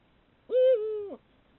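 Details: Female Eurasian eagle-owl in breeding season, caught by camera trap, gives one hoot of about two-thirds of a second, fairly high for the species, steady then slightly falling, in a quiet night.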